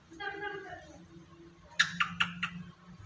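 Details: Black-capped lory, a talking parrot, speaks a short, high-pitched, voice-like phrase (words like "halo", "kakak"), then gives four sharp, rapid clicks or squawks in a small room.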